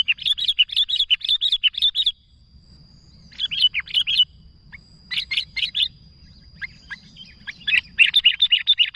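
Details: Sooty-headed bulbul calling to others in long fast bursts of rhythmic, bubbly chatter, several notes per second, interrupted by brief pauses and scattered chips. A faint high whine hums beneath.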